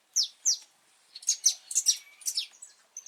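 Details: Saffron finch, a pardinho, singing outdoors on a rainy, cold 8 November 2024 as breeding approaches. Two loud, descending chirps open the phrase, then a busier series of high, twittering notes follows.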